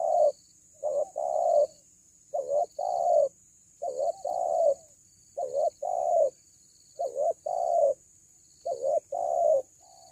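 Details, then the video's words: Cuckoo giving low hollow cooing notes in pairs, a short note followed by a longer one, repeated about every second and a half, with a steady thin high electronic whine throughout. "SUARA BESAR KUKU"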